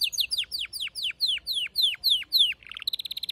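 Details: Domestic canary song, with a female's mating call and a male singing: a measured series of loud downslurred whistles about every quarter second, a brief low buzz, then a quick high trill.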